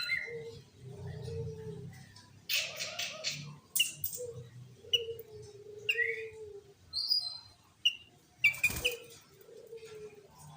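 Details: Sooty-headed bulbul lure song, 'gacor' with 'tembakan' shots for attracting other bulbuls: scattered clear whistled notes and short upward slurs, a few harsh bursts, over a steady lower hum-like tone.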